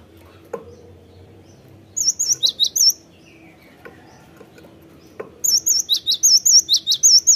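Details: On a cinereous tit lure recording for prompting song, two bouts of high thin whistles paired with rapid falling chips, separated by a pause with soft knocks and low background hum.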